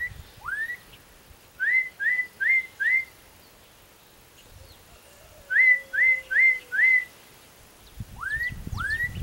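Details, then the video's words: Black-capped donacobius (Donacobius atricapilla) singing loud, clear rising whistles, delivered in quick runs of four, with a few single upslurred notes before and after. "BLACK-CAPPED-DONACOBIUS singing"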